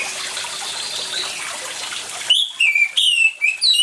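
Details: Orange-headed thrush in lively song, set against water to coax silent birds: after a few seconds of rushing water, a quick run of loud whistles starts, with downward slides and sharp upward flicks repeated rapidly.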